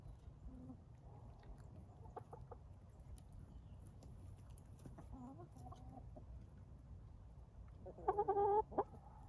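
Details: Chickens, hens and roosters, settling at day's end while wished goodnight: soft intermittent clucks over a low hum, then a louder nasal squawking call near the close.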